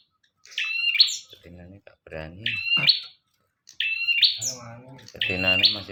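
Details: Bar-winged prinia singing busily, a recording for training birds: high whistled-then-buzzy phrases repeated about every one and a half seconds, with a person's voice sounding in the gaps.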